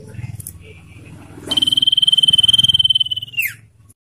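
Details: Common iora, full trilling (ngetir) song used as lure and training audio for captive birds: a fast, even, high buzzy trill held on one pitch for about two seconds, ending in a quick downward slur, over low background murmur.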